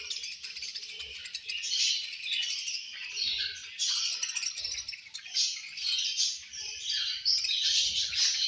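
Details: Angry budgerigars at lunch time chirping as a flock, a dense continuous mesh of high, scratchy twitters with brief louder bursts and soft low thumps beneath.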